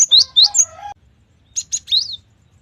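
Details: Cinereous tit (gelatik batu) with gacor, richly varied song: several loud whistled notes swooping upward and downward, a short pause, then a phrase of two buzzy notes and a rising-falling whistle.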